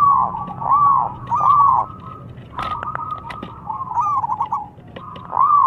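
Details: Local Zebra dove giving loud calls meant to provoke a reply: three rounded arched coos, then a stuttering series of quick staccato notes, ending with another arched coo.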